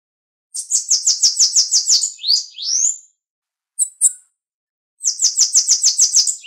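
Bananaquit song: a rapid series of high, thin buzzy ticks, about ten per burst, with a couple of squeaky slurred notes between the bursts.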